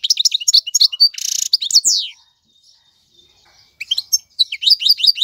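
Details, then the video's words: European goldfinch male singing for chick tutoring: bright rapid twitters and a buzzy rasp, a pause of over a second, then renewed sliding chirps. "اقوى تغاريد الحسون, مقنين فحل لتعليم الفراخ"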